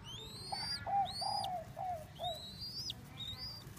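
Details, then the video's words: Young Thai-type spotted dove, kept as a cage bird, giving a run of about five short, soft, slightly falling coos in quick succession, while other birds add thin, high, rising whistles over steady low background noise. "chim cu gáy thái non"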